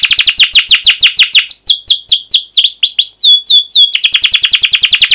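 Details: Canary song used as a lure to train young canaries: long rapid trills of bright downward-sweeping notes, a slower run of clear whistled slurs in the middle, then fast repeated chirps resuming with faint low clicks.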